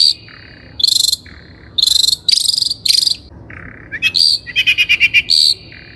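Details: Long-tailed shrike singing as a lure for untrained birds: loud buzzy, rasping bursts, lower hoarse notes in between, then a quick series of stuttering buzzy chirps near the end.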